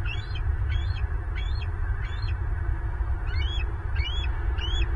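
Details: Bald eagle filmed by a nest cam in Southwest Florida on 14 April 2023 at 09:29, giving a series of seven thin, high, chirping whistled notes, each rising and falling, over a loud steady rumble of wind.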